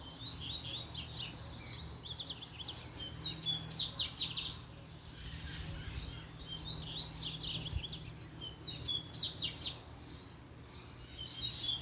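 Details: Caged double-collared seedeater singing hard as a female appears, repeated energetic phrases of high rapid chirps, downslurs and trills, several bursts over roughly twelve seconds with short pauses, over a low steady hum.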